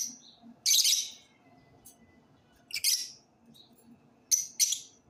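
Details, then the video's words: Lovebirds singing: harsh, high squawking chirps in three short bursts, each a pair of shrill notes, with softer tweets between and a faint background hum. "love birds singing"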